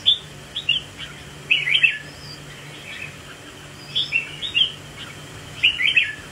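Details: Red-whiskered bulbul during a swaying display. Three lively warbled phrases are spaced about two seconds apart. Each phrase is a cluster of sharp, chirpy whistled notes.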